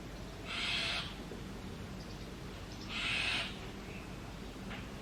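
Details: Two rough, hissing rasps about two seconds apart from brahminy starling babies in a nest box as the parent pair brings insects.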